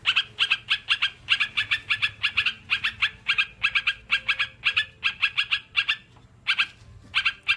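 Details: Sooty-headed bulbul song meant to make caged birds sing sooner: quick chattering note clusters for about six seconds, then a pause and a few scattered notes, soft low background noise.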